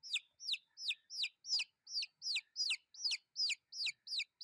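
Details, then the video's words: Baby chickens calling with loud, piercing cheeps, each a brief whistle bending sharply downward, repeated about three times a second in an even rhythm. "Chicks sound effects"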